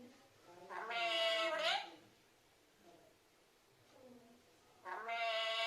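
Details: A parrot speaks, repeating a call for mother: one loud, nasal, harmonic word lasting nearly a second, soft murmurs, then the same word beginning again near the end.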